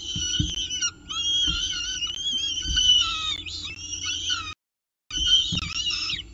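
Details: Peregrine falcon with breakfast at the CSU Orange nest, October 19, 2018: loud, sustained, quavering wails layered with harmonics, a few taps and knocks, one pause, low hum beneath.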